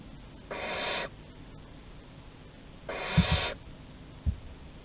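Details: At Théding on 11 August 2020 a barn owl exploring the corridor gives two harsh, airy screeches about two seconds apart, the second one accompanied by scuffling thumps.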